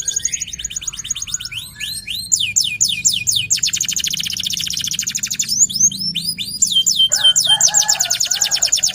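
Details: Gacor local canary singing as a lure: varied phrases of slurred whistles shifting into fast buzzy rolls and crisp repeated chirps, with a lower warbled section near the end.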